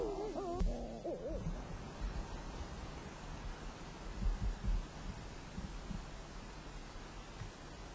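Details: Sooty shearwater (titi, muttonbird) at night, noisy even in its burrow on Rangatira island, gives a brief, wavering, moaning call that wobbles up and down in pitch, followed by low rumbling and muffled handling noise.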